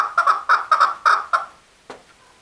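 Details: Male chukar uttering about six gravelly chuck notes in quick succession before falling silent, with one faint click afterward.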